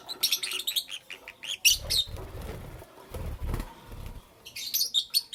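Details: Lovebirds in the morning making quick high chirps while wings flutter and flap with low thumping rustles in the middle, chirping resuming at the end.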